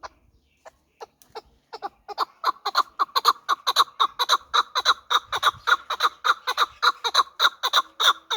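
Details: Hybrid fighting partridge, hatched the previous year, begins with scattered soft clucks that build into a fast, sustained rhythmic series of ringing chuck notes, about two per second.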